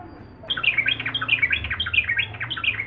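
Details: Sooty-headed bulbul in fast, excited song that makes rivals react. After half a second of quiet, a dense stream of chirpy, warbling notes follows without pause to the end.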